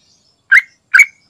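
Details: Sooty-headed bulbul, an energetic singer played to coax other bulbuls into song, gives a pair of strong, fluty notes with a slight rising twist, spaced roughly half a second apart against silence.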